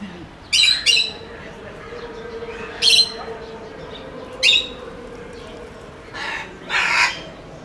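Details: Sulphur-crested cockatoo held in the Belgrade zoo, recorded unedited in 2021; harsh, broadband screeching squawks in short bursts, five outbursts over about eight seconds, with a faint low hum between them.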